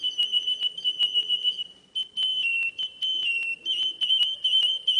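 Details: Russian canary, a carefully bred Russian breed, delivering a continuous high whistled song held on a steady pitch, interrupted by quick ticking pulses and short rolling trills, with a momentary dip in volume near the second second.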